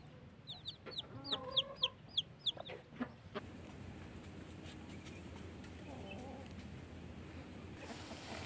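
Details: Newly hatched blackish chicks beside their hen after hatching from eggs: a quick series of high, thin, downward-sliding peeps for about three seconds, then quiet rustling and background noise.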